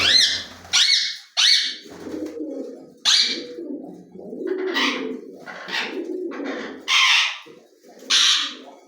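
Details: A talking ring-necked parakeet screeches again and again, loud piercing harmonic calls repeated about every second, over a continuous low mumbling, speech-like chatter.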